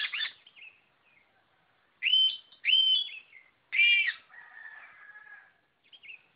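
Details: Whistled white-rumped shama phrases, clear arched notes repeated in loud bursts separated by short gaps, each followed by a softer sustained lower trill; quiet background.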